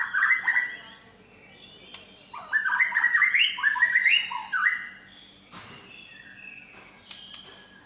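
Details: Medan white-rumped shama performing its repertoire of imitations: a whistled opening, then a fast run of rising and falling warbled notes lasting about two seconds, followed by quieter clicks and a brief noisy rush.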